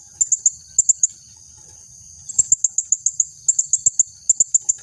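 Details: Female blue-crowned hanging parrot, calling to lure males and as tutor audio: a few sharp high squeaks, a pause of over a second, then a longer run of rapid piercing notes in small groups.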